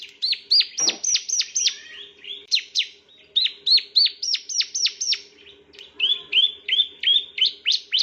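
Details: Bar-winged prinia male singing in a recording meant to train other birds. Bright, sharp falling chirps come in quick groups, then flatter whistled notes toward the end. A single low thump is heard, and a faint hum runs throughout.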